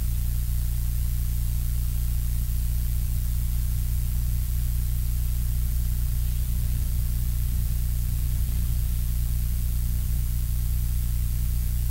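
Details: Continuous electronic static with a strong low hum throughout and no animal voice.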